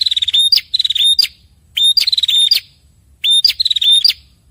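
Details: Male and female prinia, known locally as prenjak kepala merah, answering each other. Three loud bursts, each a rapid dry ticking run followed by high, slightly buzzy whistled notes ending in sharp upward flicks, spaced about 1.5 seconds apart.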